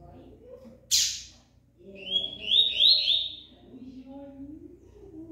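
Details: A double-collared seedeater keeps singing even while moulting, giving a short burst of high, slurred whistled notes over about two seconds after a sharp click, with low voices murmuring underneath.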